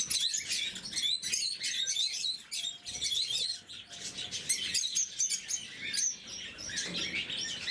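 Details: Shrill, scratchy chirping from a group of blue-mutation lovebirds at their morning feed, the calls tumbling over one another continuously, with a faint steady tone in the middle and a short dip in activity near the end.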